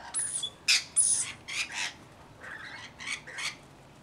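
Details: Rainbow lorikeet flock of about 40 looking after a baby, loud grating squawks up front then softer overlapping chatter fading toward the end.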